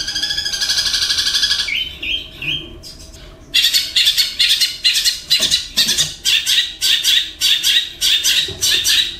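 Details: Mimicking long-tailed shrike, kept caged, whose repertoire copies kingfisher, fighting sparrow, kuntilanak and lovebird. A rapid buzzy trill gives way after a short pause to loud, harsh squawking bursts, repeated roughly twice a second.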